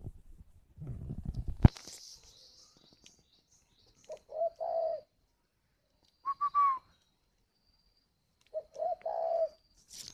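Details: Caged spotted dove from Ba Vì, Hanoi, northern Vietnam, singing in the 'gáy gọi hậu' style: after a burst of rustling noise, three separate low, hollow cooing phrases come with quiet pauses between them.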